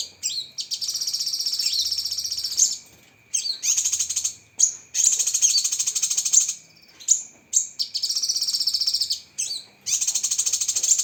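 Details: Cucak kinoi (lesser green leafbird), a masteran recording of sharp 'tembakan' song: long runs of dense, rapid, high-pitched chattering trills, each a few seconds long, split by short whistled notes and brief pauses over a steady faint tone.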